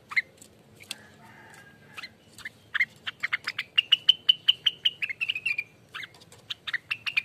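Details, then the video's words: Rengganis singing in the noisy ropel style used as lure and tutor song. Sparse calls open, then quick bright whistled notes repeat steadily, dipping slightly in pitch midway before continuing. "ROPELAN ribut loss burung Rengganis"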